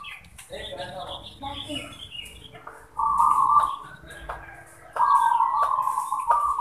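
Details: Zebra dove (perkutut), a local bird, singing with other birds answering: after a man's voice, two stretches of rolling mid-pitched cooing trills, each about a second long.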